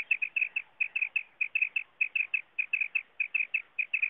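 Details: Common quail call played for hunting: short bright notes in quick twos and threes, repeated steadily without pause against a quiet background.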